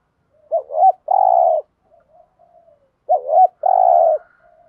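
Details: Spotted dove performing thúc gù cooing: two matching phrases a couple of seconds apart. Each is a wavering two-part lead-in followed by a long, smooth, low coo, with faint soft notes between them.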